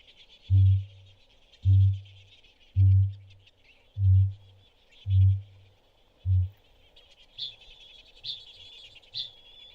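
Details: Kakapo, a nocturnal flightless parrot of New Zealand: male breeding-season booming from an inflated throat sac, six deep resonant booms about a second apart, then softer fading low notes, to attract females; faint high insect hiss throughout.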